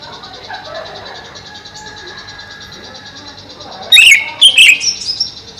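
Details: Greater green leafbird kept in a cage over a pond bursts into loud, warbling whistled notes with rapid downward slurs after a few quiet seconds, then softer high twitters.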